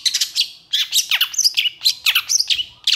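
A long-tailed shrike sings a fast, scratchy jumble of high chirps, squeaky whistles and harsh notes in quick bursts, with brief pauses between phrases.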